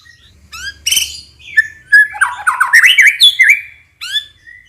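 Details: Young spotted-plumage white-rumped shama lure song used to prompt young birds to sing: loud, rich varied phrases of clear rising and falling whistles mixed with buzzy, rattling notes and sharp high chips, with a low faint hum beneath.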